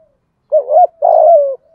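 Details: Decoy spotted dove, 'giọng thổ' style song used as a lure for wild doves: a wavering low coo running straight into a longer, slightly buzzy coo that tails off downward.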